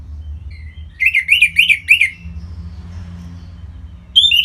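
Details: Orange-headed thrush singing in Singaraja, North Bali, as a prompt for other birds to sing: a quick sequence of about five chattering, rising-and-falling notes, a quiet gap, then a sharp high whistle.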